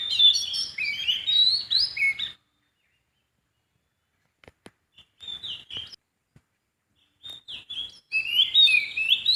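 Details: In the wild, a sooty-headed bulbul delivers rapid chattering bursts of jumbled, bubbly whistled notes, a dense phrase at the start, a short pause with faint clicks, then more lively warbling near the end.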